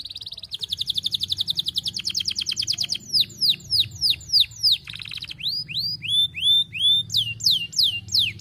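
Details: Canary song aimed at a female, meant to prompt other canaries into long rolling song: a rapid trilled roll of quick repeated notes, then loud looping whistled sweeps, several strung together, over faint low hum.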